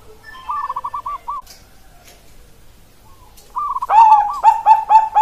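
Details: Zebra dove of the perkutut Bangkok type, recorded 16 October 2023: faint distant trilled cooing phrases early, then loud, close, mellow repeated coos rising at each end during the last second and a half.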